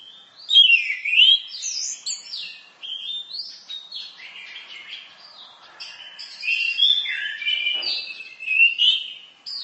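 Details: Orange-headed thrush singing a long masteran sequence: swooping whistled phrases, loud at the start, then a run of softer chattering notes and more rising and falling whistles.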